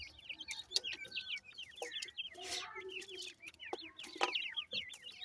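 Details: A group of francolin chicks at feeding time keeps up a steady stream of high, sharp, upslurred peeps, several per second, with occasional rustling bursts.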